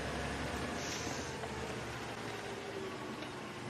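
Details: Steady broadband vehicle rumble and hiss with no animal calls standing out.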